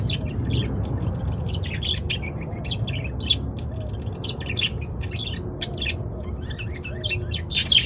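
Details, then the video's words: Several budgerigars chattering in chorus, rapid clicky chirps and short squeaks in irregular bursts over a steady low background hum. "เสียงนกหงษ์หยก นกหงษ์หยก ร้องชัดเสียงดังระงม ประสานเสียง"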